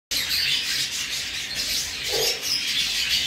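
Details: Budgerigar (hagoromo type) chicks being fed give continuous harsh, raspy, high-pitched begging chatter throughout the clip, with no other clear sounds; finding: Budgerigar.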